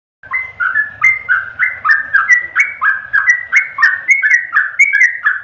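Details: Yellow-vented bulbul song: a rapid, steady string of short whistled notes, each one stepping down slightly, about four per second in a bubbly chattering flow.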